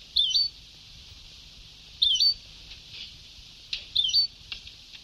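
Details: European goldfinch on a very old Sebtaoui-style tape: three matching quick, wavering chirps roughly every two seconds, with faint clicks and constant tape hiss.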